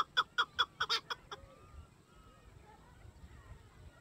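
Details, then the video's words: Chukar partridge (chakor) male with its female, calling territorially: six loud sharp chuk notes in quick succession during the first second and a half, then quiet background with faint distant bird sounds. "Hunting chakor sound /شکاری چکور اپنی مادی کیسات خوبصورت آواز"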